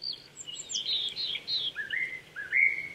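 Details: In the Saitama Prefectural Forest in Chichibu, Japan, a Japanese thrush sings on an April morning at 800 m: varied whistled notes, some high and slurred, ending in two lower, upward-sweeping whistles.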